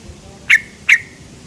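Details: Yellow-vented bulbul lure call: a pair of loud, abrupt 'cuk' notes under half a second apart, each trailing off into a brief level tone.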